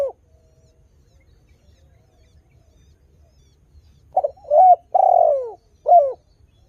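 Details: Spotted dove in spirited song, a recording to lure other doves into calling: the tail of one coo, a four-second pause, then a full phrase of a stuttered coo, a rising note, a long falling coo and a short final coo.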